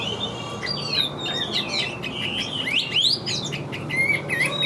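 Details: Caged Chinese hwamei with an even, full voice sings 'điện đóm' phrases. Long sliding whistles and a steep upward sweep are mixed with short chattering notes.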